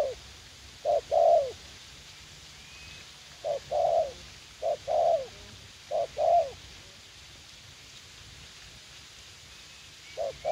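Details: Spotted dove used as a young, aggressive decoy bird while luring wild doves in a U Minh garden, Vietnam; soft phrases of a brief coo then a longer descending coo, delivered in irregular bursts with long quiet gaps between them.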